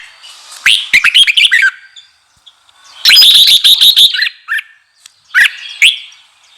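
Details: Red-whiskered bulbul singing to excite freshly caught wild birds: three loud bursts of rapid, clear warbled notes, the middle one longest and richest, separated by brief pauses.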